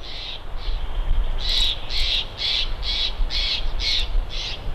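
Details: Bald eagle calling from its nest at Big Bear on a live camera: about nine sharp, high chattering notes that grow louder and follow closely one after another.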